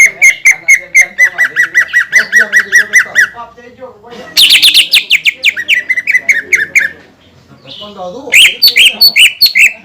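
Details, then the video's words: Greater green leafbird in full song, used to provoke other leafbirds into singing: fast runs of bright, ringing notes repeated about twice a second, breaking into harsher, buzzier bursts and a rapid chattering flourish near the end. "PANCINGAN CUCAK IJO GACOR YANG BIKIN BURUNG CUCAK IJO LAIN EMOSI DAN LANGSUNG GACOR"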